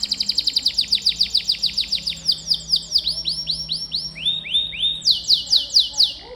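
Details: Canary song in strong singing form, offered as master song for pet canaries: rapid high trill of repeated notes, shifting into slower rolled phrases of arching notes, each series changing pitch, over a faint background hum.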